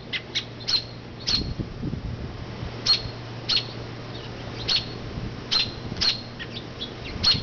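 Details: A mother robin, flown from her low nest in an oak to a nearby branch when people pass, gives sharp, high alarm chips to distract from the nest, about ten in seven seconds at an uneven pace, over a low hum and soft thumps.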